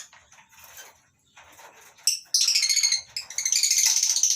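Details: Lovebirds in a mini colony aviary on a breeding farm in the morning, mixed with yellow-collared and Fischer's lovebirds; faint scattered chirps, then from mid-clip loud, rapid, shrill chattering bursts repeated in quick runs.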